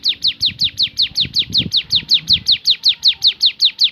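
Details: Javan sunbird singing in the rapid-fire 'tembakan' style: a steady series of high, sharp, downward-slurred notes, about two and a half per second, with faint low rumbling underneath.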